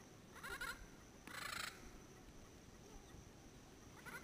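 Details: A pair of endangered yellow-headed parrots (Amazona oratrix) calls noisily from Caribbean pines at sunset in Payne's Creek National Park, Belize, in late January 2012, about 100 yards away: harsh, raspy squawks in three half-second bursts over a hiss, with mosquitoes audible.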